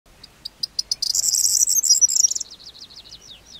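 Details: Corn bunting singing near Trabzon: a few spaced high ticks speed up into a dense, glassy jangle like shaken keys, then trail off in thin falling notes.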